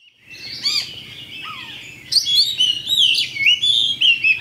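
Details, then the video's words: Oriental magpie-robin (kacer) in fighting-style song, used to provoke a rival: a dense run of varied whistles, sharp chirps and fast trills mostly high-pitched, growing louder and busier in the second half, with a faint low hum beneath. "PALING TOP LANSUNG TARUNG ! PANCINGAN KACER JUARA"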